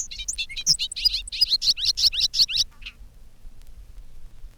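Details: In spring, several bobolinks in an open field give bubbling, banjo-like songs: a tumbling rush of metallic notes quickening into a jumble of sharp twangs and squeaks over about three seconds, seeming to repeat their name; Bobolink.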